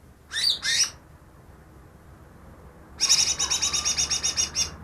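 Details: Greater green leafbird caught two days earlier, a mimic said to copy ten other bird species: two short harsh high notes, a pause, then a fast buzzy rattle of about a dozen pulses.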